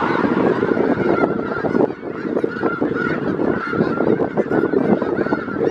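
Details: A February 2018 gathering of about 5000 snow geese in south Grayson County, Texas, filling the air with a thick, constant babble of high honking calls, individual yelps blending into one continuous roar.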